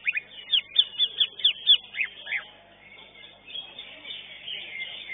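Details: Greater green leafbird that won first place in a singing contest pours out a loud string of slurred, downward-sweeping whistled notes, several per second, before the competition's chorus of other birds takes over.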